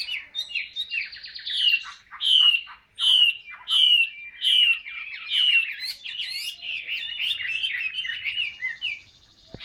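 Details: Caged Chinese hwamei singing a series of loud whistled notes repeated about once a second, each with a bright slurred stroke, then a faster chattering run.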